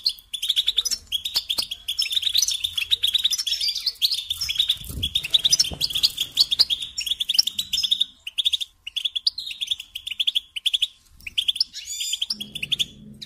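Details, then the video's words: Long run of goldfinch song: rapid, sparkling twitters and liquid chirps pour out almost without stop, with a few short pauses later and faint low rustling in the background. "Supporting and Singing Along with Goldfinches"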